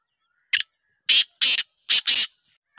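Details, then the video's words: Black francolin winter call from 10 November 2023: a short lead note, then four rasping, grating notes grouped in pairs, crisp and loud with nothing else audible. "کالے تیتر کی سردیوں کی خوبصورت آواز"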